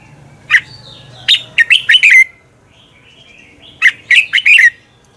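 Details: Red-whiskered bulbul morning contest song for bird training: a single sharp note, then a quick run of four or five fluty notes, repeated after a two-second pause, with faint high whistles from another bird.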